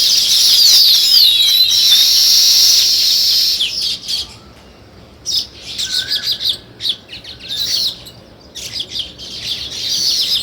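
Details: Sparrows chirping in a dense, busy chorus of high, overlapping notes for the first few seconds, then thinning into separate bursts of short chirps with brief quiet gaps.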